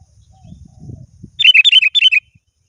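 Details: Sooty-headed bulbul calling to a rival, a lively run of about eight bubbly, chattering notes following a patch of low rumbling noise.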